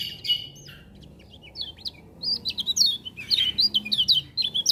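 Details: Lemon-bellied white-eye in lively song, which other birds are said to join: rapid high, thin chirps and short twittering phrases in quick bursts, sparse at first, then dense and busy in the second half.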